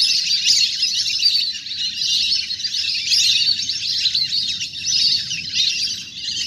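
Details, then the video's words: Wild ducks in a large flock playing on water, sound used to call birds down; many high twittering calls overlap continuously in rising and falling waves, with low background rumble. "เสียงนกเป็ดน้ำ! ฝูงใหญ่เสียงคมชัดมาก สำหรับต่อเรียกนกให้ลง"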